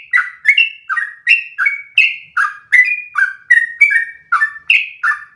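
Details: Long one-breath song of a sooty-headed bulbul, played to teach other birds: clear liquid whistled notes in quick succession, some rising and some falling, a little over one per second.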